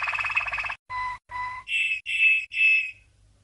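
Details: Malinois (Waterslager) canary, a champion bird from 1997, singing training song for young canaries: a fast rolling trill, then two clear whistled notes, then three buzzy, higher, even notes of about a third of a second each, cleanly recorded.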